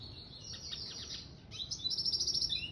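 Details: A red siskin mule (hybrid finch) sings a high, rapid twittering song of buzzy trills and chirps, growing louder and denser in the second half.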